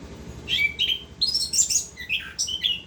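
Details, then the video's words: Orange-headed thrush in full 'gacor ngerol' continuous song, pouring out a varied stream of high whistled phrases, sharp upslurs and buzzy chirps with barely any gaps, over a faint low hum. "Anis kembang gacor ngerol"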